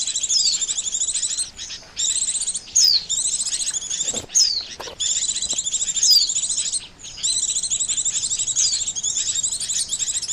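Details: Oriental white-eye call for luring birds into traps: long runs of rapid, high, buzzy twittering with falling whistles, broken by short pauses and a couple of clicks.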